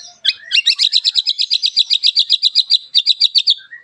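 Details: White-rumped shama singing a sharp, coarse phrase used to goad other shamas into song: a rapid, evenly repeated series of high chipping notes, about five per second, closing with a short low whistle.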